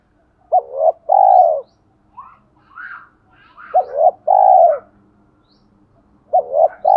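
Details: Spotted dove singing in the 'thổ pha đồng' voice style, used to stir decoy doves into cooing quickly. Two full phrases, each a quick double note and then a long mellow coo, with soft quieter notes between and a third phrase starting at the end.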